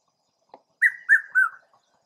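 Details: Red-chested cuckoo, known locally as Piet-my-vrou, seen calling in Southern Africa: three loud whistled notes in quick succession, each pitched a little lower than the one before, preceded by a faint short tap.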